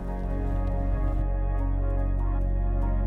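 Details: Sustained ambient music with low organ-like drones and steady harmonic tones, with no animal calls.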